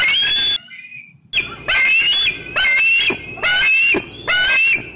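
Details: Bald eaglet squeeing loudly near the nest on a June 2013 afternoon beside an adult eating fish; after a long squeal and a brief pause come four bursts of piercing rising whistles, each under a second.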